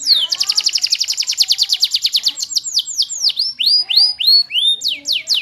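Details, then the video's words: Canary song opening with a long fast trill of high pulsed notes, slowing into loud arching and descending sweeps repeated about three per second. "your canary will sing after seeing the maximum handsome canary"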